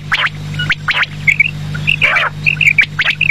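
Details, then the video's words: Quail calling in the evening: short, clear, bright notes in quick groups of two or three, mixed with harsh, rasping squawks, over a steady low electrical hum. "batair ki awaz sham k lia"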